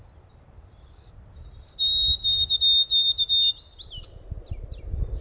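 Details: A Common Grackle near wildlife ponds in spring, after snowmelt, giving a run of thin, high, squeaky whistles lasting about two seconds, with low wind rumble and rustling underneath.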